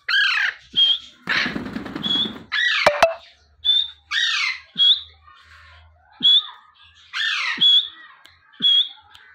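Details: Alexandrine parakeet, a pet (titled as a baby parrot), calling naturally in the morning: harsh, grating squawks roughly once a second with short rasping notes between, plus a brief burst of scratchy rustling.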